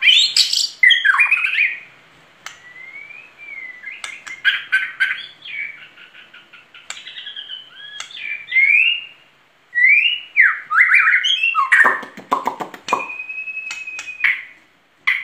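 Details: White-rumped shama, known locally as murai batu, in lively gacor song from 2021: varied phrases of sweet whistles, chattering trills and buzzy notes, separated by short pauses, ending in a long level whistle and sharp clicks.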